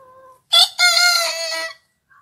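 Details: Rooster crowing: one loud, harsh crow lasting about a second, rich in stacked harmonics, with a sharp first burst, then a sustained wavering tail. A short steady low tone comes just before it.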